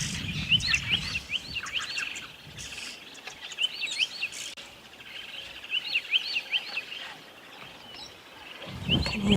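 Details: Red-billed buffalo weavers calling near a riverbank at sunset on a safari in January, heard but not seen: bursts of squeaky, chattering notes in quick clusters, about two or three a second, over low rumbling wind.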